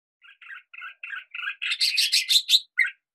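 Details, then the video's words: Red-whiskered bulbul singing in hills: a run of short chirpy notes around two kilometres of pitch, building into a louder, denser, bubbling phrase with a final separate note, no other sounds. "Red Whiskered Bulbul singing song"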